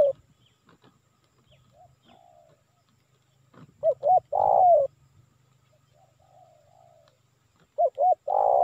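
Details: Spotted dove lure call from Indonesia for calling wild birds. Soft low coos, then two phrases, each with two brief hooked notes and a long, loud, falling coo. The second phrase is cut short.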